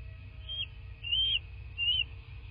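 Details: Bald eagle at its nest in southwest Florida, caught by a nest camera on 13 March 2024 at 19:02: three thin, high, whistled notes with slight upward inflections, spaced under a second apart, over a low steady hum.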